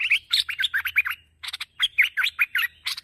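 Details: Loud, quick bulbul (merbah) chatter used for luring: dense strings of bright, slurred chirps delivered in two fast bursts separated by a brief gap, with a low hum in the background.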